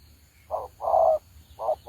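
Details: Decoy spotted dove from Đồng Ngô, kept for trapping, cooing: a short hoarse note then a longer, lower, drawn-out coo, with a further short note and the start of the next phrase following.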